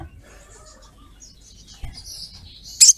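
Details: Female ruby-cheeked sunbird calling a male, used to lure: soft high twitters, then a single sharp, very high 'cret' burst at the close.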